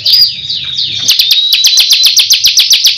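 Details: Bar-winged prinia (ciblek kristal) singing persistently in tembakan style: a second of high, sliding warbled notes, then a rapid run of sharp, bright chips about five per second. No other sounds are heard.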